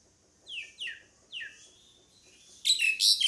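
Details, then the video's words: Pied myna: a few thin, falling whistled notes first, then a loud burst of dense, harsh chattering calls at the end. "SUARA PANGGILAN JALAK SUREN"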